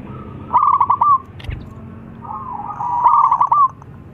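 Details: Local Zebra dove calling loudly so others reply: two phrases of quick trilled coos, each ending in a drawn-out note, separated by a brief knock.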